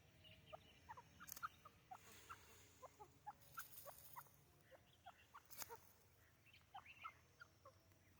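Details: A white grey francolin gives short, clucking notes at a middle pitch, several each second in an uneven stream, with a few sharp knocks in between.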